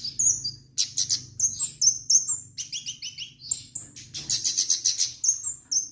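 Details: Orange-headed thrush (kemade) in vigorous song: loud, rapid sequences of sharp high whistles and buzzy chirps, packed closely with few pauses, a low hum in the background.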